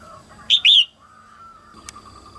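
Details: A female red-whiskered bulbul, singing early in the 2022 season to stimulate males, gives two quick, bright, slurred notes, one falling and one rising, over a faint steady hum with a single click near the end.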